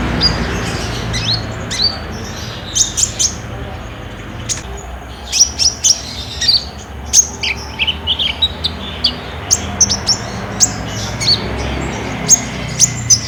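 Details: Olive-backed sunbird in lively lure song to prompt caged birds, phone-recorded: clear, piercing very high chips and short slurred whistles, given in quick clusters and pairs throughout, over faint low background noise.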